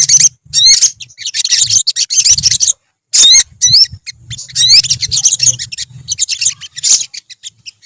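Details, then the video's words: Olive-backed sunbird colony, known locally as sogon or sogok ontong, kept as a therapy sound: dense, very high thin twittering in fast bursts, with sharp upward-sweeping whistled notes and brief silent gaps, several birds overlapping. "BURUNG SOGON / SOGOK ONTONG / SOTONG SUARA TERAPI KOLONI"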